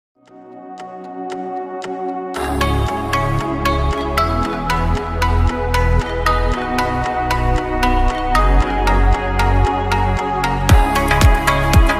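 Instrumental music only: after a quiet opening, plucked, ringing notes over a steady pulsing bass beat, with no animal sounds.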